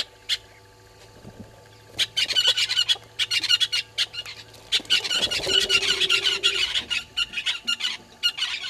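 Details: Red-billed hornbills below a waterhole camera at Gowrie dam, Djuma, South Africa, early morning of 20 March 2022; a few isolated clucks, then a sustained quick series of squawking notes with a faint low tone in the background.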